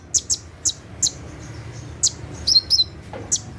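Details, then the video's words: Brown-throated sunbird (kolibri ninja) giving its 'tembakan' song at night: a few sharp, very high chips spaced irregularly, then a short run of paired chirps near the end, over a quiet low hum. "SUARA TEMBAKAN KONIN SAAT DIMALAM HARI"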